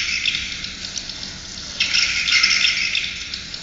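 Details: Swiftlets calling through a swiftlet house sound system, a steady high rattling chirp chorus that swells in a louder, denser burst halfway through.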